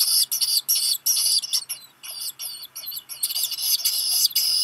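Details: Black guillemot chick in a nest burrow on Seal Island National Wildlife Refuge, Maine, USA, hatched late June, calling as a parent arrives with rock gunnel in July; high, thin whistled peeps in quick irregular bursts, some notes bending up and down.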